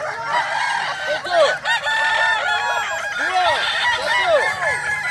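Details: Crowing-contest final for Kukuak Balenggek roosters, class boko, Sirukam Dairy Farm, Solok regency: a dense chorus of loud arching, broken-up crows layered over each other without pause.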